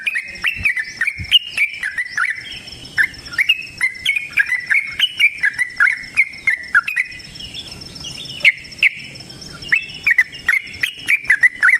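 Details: Extended yellow-vented bulbul 'ropel' song meant as a lure for other bulbuls to answer; a steady stream of quick, bubbling whistles with short breaks, lively and chattering throughout.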